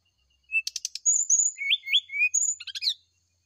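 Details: Brown-chested jungle flycatcher morning song meant to coax a reply: a soft whistle and clicky chips, then a long high whistle, two rising slurred notes lower down, and a final jumble of rapid chips.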